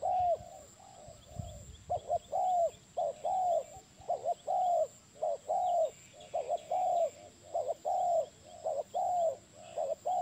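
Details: Continuous spotted dove cooing, a rhythmic chain of clipped double notes and sustained arching hoots about every second, low and mellow, with a brief low rumble near the start.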